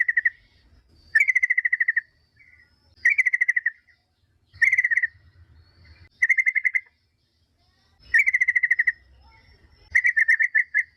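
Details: A yellow-vented bulbul's bubbly song used as a lure for other bulbuls, heard as six clipped, trilling phrases of fast repeated notes, each under a second, at fairly regular intervals with faint low rumble between.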